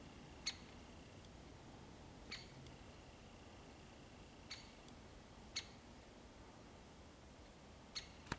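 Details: Great spotted woodpecker (Dendrocopos major) giving about six sharp, high 'kik' calls at uneven one-to-three-second gaps, recorded 13 February 2022, faint background hiss.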